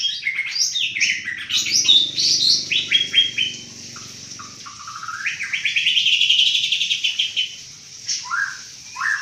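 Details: Banten white-rumped shama singing a fast, varied burst: rapid high chirps and whistled slurs, a long run of quick rattling notes, then separate rising whistles, with a low hum behind.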